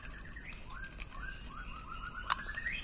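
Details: Loud song of a male straw-headed bulbul (cucak rowo): connected, gliding whistled notes stepping upward in a bubbling run, ending on a higher rising slur, with low background rumble.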